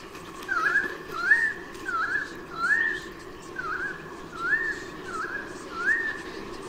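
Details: A white-bellied sea eagle parent near Sydney, Australia, 16 October 2018, chasing intruders from the nest; softer, widely spaced rising yelps in loose pairs over roughly seven seconds, with low steady noise behind.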